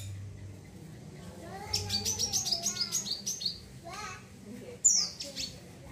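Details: Wiceh bird chattering, used as a tutor recording for training other birds: a run of rapid high chirps with lower warbling notes, a pause, then a sharp squeaky burst; low hum underneath.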